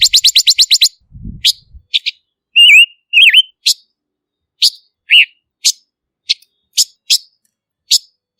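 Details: Silver-eared mesia, Vietnamese Ngũ sắc: a fast rattle of high chips, a low thud, two swooping whistles, then scattered sharp single chips spaced through the rest of the recording.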